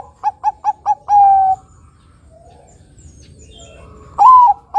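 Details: Zebra dove, Bangkok-local crossbred perkutut, singing a long deep 'nutut' phrase: four short clipped coos, a sustained falling coo, then after a pause a loud rising coo followed by a short note.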